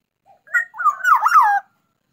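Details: Black-naped oriole in full song, described as contest-ready: a short clipped note, then a liquid, fluty whistled phrase that wavers and slides downward over about one second, with no other sounds.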